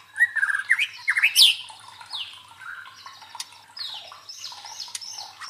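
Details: Provoking song of the white-rumped shama for mental training of fighting contest birds. Rising whistles climb to a piercing note, then softer, falling, slurred phrases follow with brief sharp clicks.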